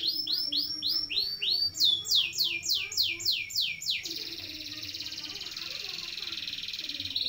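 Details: Canary song with long-duration rolls for training birds: a series of repeated swooping whistled sweeps, about four per second, shifting to higher sweeps, then a steady, fast-pulsed high roll lasting over three seconds.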